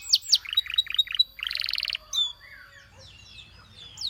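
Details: Canary song fragment: two sharp high notes, a row of short hooked chirps, a brief buzzy trill, then quieter scattered high twitters and faint background calls.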